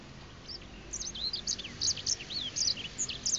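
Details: Grey finch in breeding condition singing at close range on 2 August 2016, delivering quick high twittering notes mixed with brief downslurred whistles over a soft background hiss.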